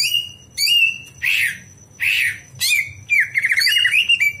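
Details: Greater green leafbird night song used to train other birds: drawn-out whistles and rasping squawks alternate with pauses, ending in a rapid quavering trill; a thin constant high tone and low hum persist throughout.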